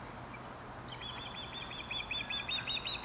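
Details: Osprey at a nest site in Dartmouth, Nova Scotia, giving a quick run of high, thin whistled chirps repeated nearly three times a second. The run starts after a brief quiet with faint background hiss.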